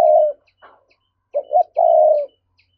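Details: Spotted dove in thúc cooing style, used to lure wild doves: a strong low coo, a faint short note, then a quick double coo leading into a long, even, sustained coo.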